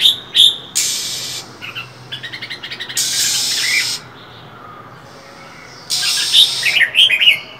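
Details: Female than songbird in bitter winter cold: sharp high chirps, a rapid stuttering series of short notes, and long, loud hissing bursts, followed by more bright, high calls.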